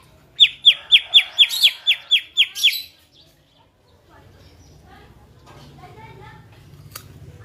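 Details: Greater green leafbird in a red cage, trained for singing contests, gives a loud series of about nine sharp, high, evenly spaced notes over two and a half seconds, followed by soft distant chirping and a low background hum.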